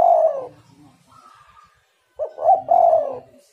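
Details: Cooing of a spotted dove, played as a lure to prompt other doves to call: a long falling coo, a faint higher note, then a quick broken coo and a longer descending coo, with faint low background rumble.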